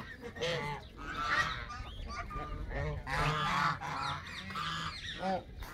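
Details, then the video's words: Canada geese in a group, calling with loud nasal honks that come in clustered bursts, some calls rising in pitch, voices overlapping throughout. "وز كندي"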